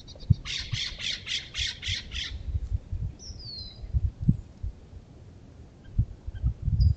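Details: Raucous Steller's jay at a feeder, protesting the presence of a California scrub jay: a rapid run of about seven harsh, raspy shrieks packed into two seconds, then a thin descending note, over low thumping background rumble.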